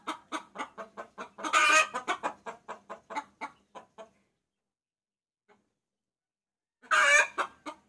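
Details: Hen's lure call for a rooster: four seconds of quick clucks with one loud cackling burst, then near silence, ending in another loud cackle.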